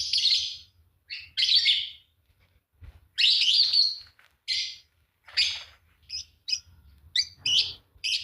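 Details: Fischer's lovebird pair, green, singing and chirping in a steady series of loud shrill, rasping chirps about every second, with quicker short squeaks toward the end.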